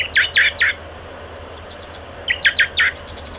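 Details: American goldfinch young begging while being fed by an adult, 30 July 2011: two quick bursts of harsh, raspy notes, three then four in rapid succession, over a quiet background.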